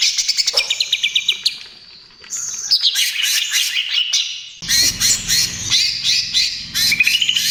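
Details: Greater green leafbird (cucak ijo) in trotol style song used as a lure: quick ascending whistle series, a descending sweeping phrase, then dense trills and chips over a faint low hum.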